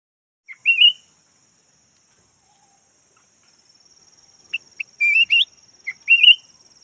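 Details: Decoy red-whiskered bulbul, yellow form, singing a brief wavering whistled phrase, then after a long pause a burst of short notes and two more rolling, rising whistled phrases; a constant thin high whine runs behind.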